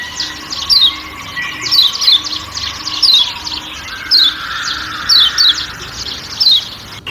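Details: Forest-backed 'ciak ciak' calling from a kecial kuning white-eye in Lombok: bright, high, descending chirps in singles and pairs about a second apart, over a low hum and a soft mid-pitched wash.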